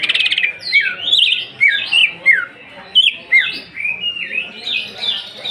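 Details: Greater green leafbird singing to provoke other birds: a fast opening rattle, then loud downslurred whistles repeated roughly every half second, with chirps between them.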